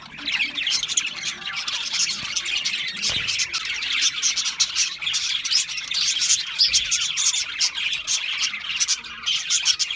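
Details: Parakeets chirping in a continuous, busy warble of fine high tweets and clicks, an even flock babble with one dull knock partway through.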